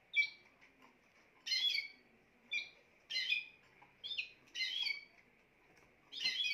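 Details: Spanish timbrado canary singing in brief bursts, alternating thin chirps with louder rattling trills, pauses between phrases, a faint steady hum in the background.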